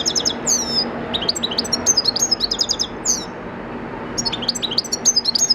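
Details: Captive-bred European goldfinch from 2014 singing as natural training: lively, high chattering song of quick tinkling notes, nasal buzzy slurs and rolling trills, nearly continuous with a brief break, steady low hum behind.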